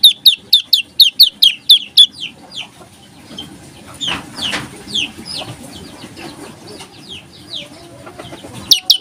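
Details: Olive-backed tailorbird singing in the rapid, unbroken 'nembak rapet, ngebreen' style: about two seconds of fast, evenly repeated high downslurred chips, followed by sparser, softer slurred notes and a faint background rustle.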